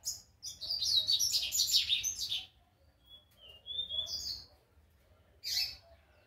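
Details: Young rusty-collared seedeater learning its first notes: a jumbled, scratchy high warble for about two seconds, then a few thin whistled notes and a brief buzzy burst, over a faint low rumble.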